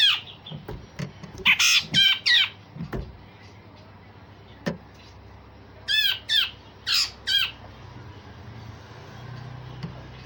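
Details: Grey-cheeked bulbul singing coarse "besetan" phrases and sharp shots, meant to provoke and train other songbirds: grating, squawky notes in bursts, then a pause, then another quick string of four harsh notes against steady hum.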